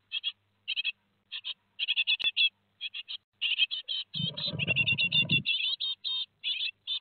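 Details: Great tit nestlings two days before fledging, Théding, 15 July 2020: dense runs of short, high, rasping chirps repeated in quick bursts, with a brief low rustling thump midway.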